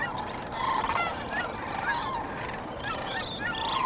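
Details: Dawn chorus of sandhill cranes at the Cosumnes River: several rattling, bugling calls overlap, some with upward-sliding notes, over a steady hum of distant flock voices.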